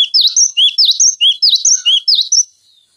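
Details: Cinereous tit tutor song for training magpie robins, green leafbirds and other songbirds: a steady string of loud, clear whistled phrases, each a swooping high note followed by a lower slurred one, over two and a half seconds.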